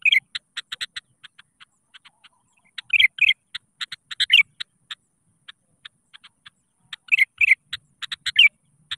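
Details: Sooty-headed bulbul calling out to rivals as a singing lure; brief rich chirpy phrases burst out between runs of quick clicking notes, which repeat several times a second.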